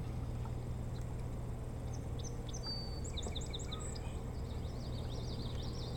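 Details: Osprey at a boat house nest on Hog Island near Bremen, Maine, on a July 2018 morning: a quick series of five high, thin, downslurred whistled chirps midway through, over a constant low rumbling hum.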